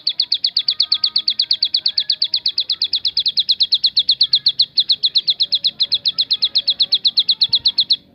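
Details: Bar-winged prinia, 'tembakan' style song variation: a rapid, regular rattle of high, sharp repeated notes lasting about eight seconds, with a faint hum in the background.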